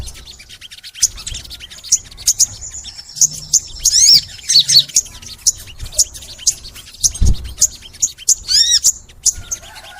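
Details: Crimson sunbird singing a long, energetic song, used as a master recording to make sunbirds sing: rapid high thin chips and sharp notes with occasional rising and falling whistled slurs, fairly continuous over ten seconds, with low background rumble.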